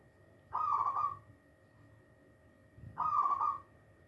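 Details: Hand-reared young zebra dove, a single chick, giving two short husky cooing notes about two and a half seconds apart, over a faint steady electrical hum.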